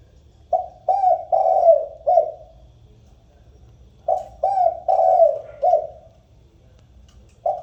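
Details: Spotted dove calling the flock, used as a lure: two phrases of soft, low coos, each of five notes with a longer middle note, separated by a pause, then a new phrase begins.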